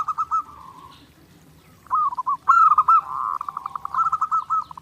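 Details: Lively zebra dove song as training audio: a short stuttering coo, a pause, then a long phrase of rapid rolling staccato notes building into a sustained trill.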